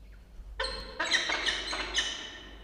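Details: Peregrine falcon at a nest box in a water tower, Charles Sturt University, Orange, New South Wales, Australia, with two recently hatched nestlings, October morning; harsh, harmonic-rich calls start after a short silence and repeat in several loud bursts.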